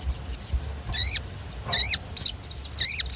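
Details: Sogon performing a rolling stimulus song: a run of short high chirps broken by two loud, descending whistled sweeps, then quick repeated notes resuming.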